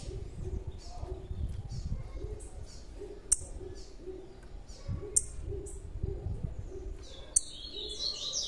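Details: Big blue-black grassquit chick giving a steady series of short, high, thin chirps, with a few sharp clicks and a buzzy fluttering note at the end; low hum underneath.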